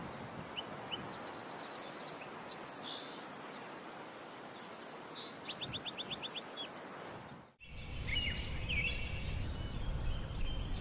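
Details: Crowned warbler song: two quick, high trills of evenly repeated notes, with a few scattered chips. A sudden break is followed by loud steady rushing noise.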